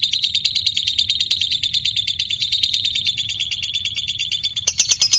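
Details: Lovebird with a white beak delivering an unbroken long 'ngekek' trill, a fast rattling high chatter running steadily for about five seconds and ending in a few sharper clipped notes.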